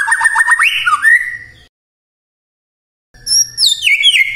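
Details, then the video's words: White-rumped shama morning song meant to stir quiet shamas into answering: clear whistled notes with quick slurred upsweeps, a short pause, then high rising and falling whistles. "Pancingan PAGI-PAGI AGAR MURAI GACOR❗ murai diam pasti ikut NYAUT EMOSI❗❗"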